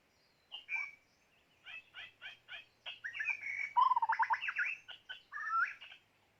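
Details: White-rumped shama kept as a decoy for bird trapping sings short clipped notes that build into a fast, loud cascade of mixed whistles and trills, ending with a rising whistled phrase.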